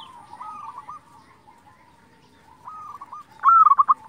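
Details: Local zebra dove singing to trigger answers from other doves: two softer stuttered coo phrases, then one loud, bright, rapidly trilled phrase at the end.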